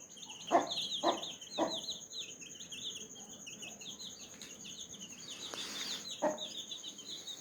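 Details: A mother hen calls her baby chicks to eat strawberry. Three short clucks come about half a second apart, with another after a pause, while the chicks keep up a steady high-pitched peeping.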